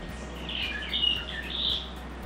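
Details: Whitehead in trees on a hillside at Zealandia, a predator-fenced sanctuary, gives three quick bursts of thin, high twittering chirps, under a second apart, over a steady low background rumble.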